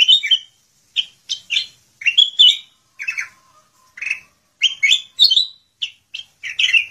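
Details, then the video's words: A sooty-headed bulbul sings a lively run of short, bright chirping phrases, several per second with brief gaps, with no other sounds. "BURUNG KUTILANG EMAS GACOR FULL ISIAN"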